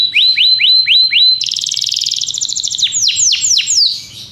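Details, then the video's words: Belgian canary singing: a row of five rising whistled notes about every quarter second, then a fast buzzy trill, then four loud sweeping downslurred whistles. "canário belga cantando"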